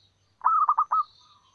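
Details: A wild local zebra dove, a female calling to males, used as a lure. She gives one rolling cooing phrase of about five quick, mid-pitched pulsing notes, then falls silent apart from faint higher chirps.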